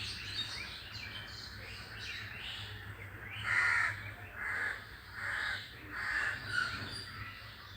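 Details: Crows calling outdoors while other birds are reported to fall silent on hearing them: several harsh, rasping caws repeated roughly every second, faint chirping of small birds early on, low hum beneath.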